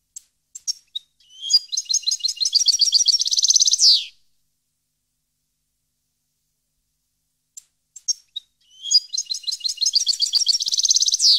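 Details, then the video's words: European goldfinch singing, recorded in 2015: a few sharp introductory chips lead into a long, accelerating run of liquid twittering notes rising in pitch, heard twice with a silent gap between. "Goldfinch song 2015/ Canto Jilguero Parva 2015"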